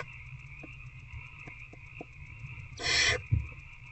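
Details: Barn owl nest box after dark, 19 February 2024, adult feeding older owlet: soft ticking knocks, then one harsh hissed screech, then a thud, all over a continuous electrical hum.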